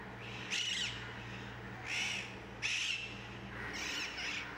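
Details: Rose-ringed (Indian ringneck) parakeets flying over central Mumbai, India, 2019: four harsh, screeching squawks about a second apart, with a low steady hum underneath.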